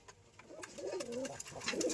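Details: Domestic home pigeons in West Bengal, flying back into their loft through the netting and settling to feed on wheat, give low, rolling coos that rise and fall in a soft, throaty warble.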